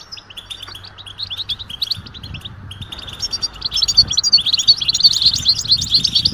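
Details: European goldfinch twittering mating calls, offered to stimulate males to sing: loose high chirps at first, then a denser, louder run of sparkling rapid notes, close to three per second, over a faint hum.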